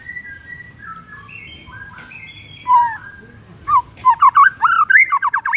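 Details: Morning song of a white-rumped shama (murai batu), played to spur a reluctant bird into singing: soft varied whistles, then loud rapid looping whistled notes, over a steady low rumble.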